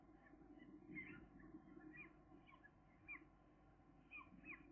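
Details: Two gull chicks at day 13, now visiting the food tray on their own, give soft, short peeping calls at irregular intervals over a low steady background rumble.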